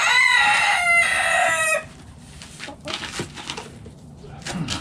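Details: Backyard rooster crowing in a coop while the chickens eat: a loud, harmonic-rich crow lasting nearly two seconds, followed by quieter scratchy pecking and soft clucking noises.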